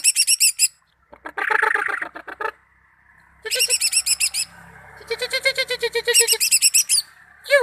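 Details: Greater green leafbird (cucak ijo) from Malinau singing fast trills of bright harmonic notes broken by a buzzy burst, over a low background hum.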